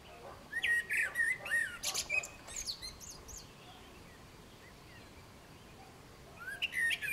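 A common blackbird sings a mellow, fluty whistled phrase that breaks into a squeaky twitter, then pauses before starting another phrase.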